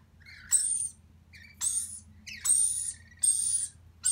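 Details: Lorikeet; begging call; chick begging for food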